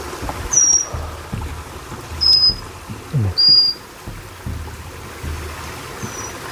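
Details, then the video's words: A forktail, a ground-dwelling bird locally called cincowang and heavily poached, at a riverside forest camp in West Java gives four thin, very high, slightly falling whistles one to three seconds apart over rushing water and low thumps. "Yang terdengar suara burung cantik itu dari"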